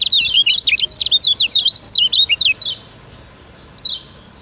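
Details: Lombok kecial kuning singing master song for training: a fast, bubbling sequence of high, zigzag whistled notes for about two and a half seconds, then silence and one lone downward whistle, with a steady thin high tone behind.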